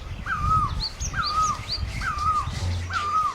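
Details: Four ringing great barbet notes from Asia, each rising then sliding down, alternating with brief high upswept chirps of another bird and low background rumble.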